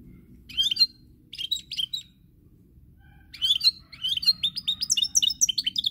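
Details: European goldfinch giving short bursts of tinkling chirps, then a pause, then a longer run of quick twittering notes and liquid trills, over a faint low rumble in the background.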